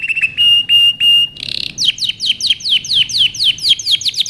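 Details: Canary singing to train young birds: a few steady flat tones repeated, a brief rattle and buzz, then a series of loud sharply falling whistled notes about four per second.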